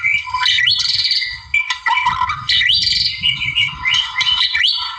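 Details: Wild white-rumped shama singing to provoke a rival, a continuous loud medley of bright whistles, trills and rising slurred notes with few breaks.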